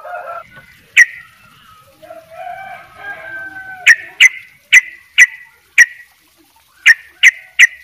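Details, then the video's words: Sooty-headed bulbul giving soft, low whistled warbles, then a run of sharp, ringing chips about every half second, clear against a quiet background. "trycuk bali dobel ropell gacor"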